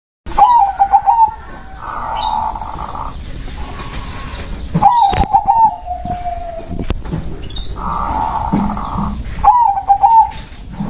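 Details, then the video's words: Local perkutut (zebra dove), called berkodam or spirit-endowed, sings three phrases. Each opens with quick stuttering bubbly coos and trails into a level hum. Steady broadband buzzing blocks fill the gaps between them. "SUARA PERKUTUT LOKAL BERKODAM"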